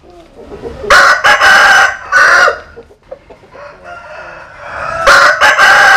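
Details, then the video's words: Rooster crowing, from a compilation of Vietnamese and American Sil cocks. A loud broken crow with several pulsed syllables, quieter background calls, then another crow beginning at the end. "Tổng Hợp Tiếng Gà Gáy/ Synthesize Cock Crows"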